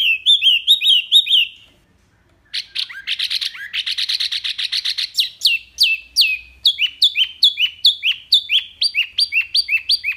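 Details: Wambi mini giving loud, clear song for tutoring other birds: warbled whistles, a short silence, a buzzy rattling trill, then a fast series of repeated high downslurred notes.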